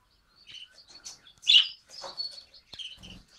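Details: Very active male budgerigar newly joined a home flock on 14 December 2013, first day there: rapid warbling chatter of short chirps and squeaks, one louder harsh note midway, faint thump near the end.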